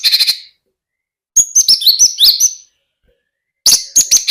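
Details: Javan bush lark in lively song, delivered in bursts: a short rattle of high chips, a silence, then a tumbling phrase of slurred whistles and chips, ending with another short chipping burst.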